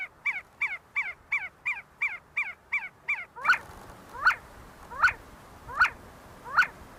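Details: See-see partridges feeding and fighting at Sulaimani University, Kurdistan: a quick even series of short falling whistles, then slower, louder single notes spaced under a second apart.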